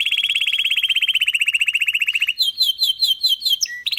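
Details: Song of a Belgian canary opening with a fast, steady run of bright repeated notes for over two seconds, then switching to a choppy series of higher warbled notes and a brief clear whistle.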